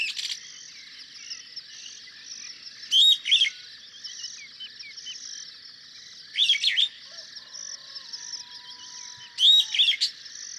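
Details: Superb starling, a common bird in Kenya: short bursts of bright chattering, whistled notes every three seconds or so, over a steady high buzzing background, perhaps insects, with a faint low whistle late on.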